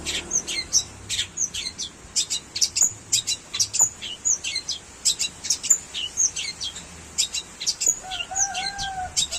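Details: Long-tailed shrike singing in imitation of a canary: rapid high chirps and sharp ticks repeated in quick bursts, with a few lower slurred whistles near the end.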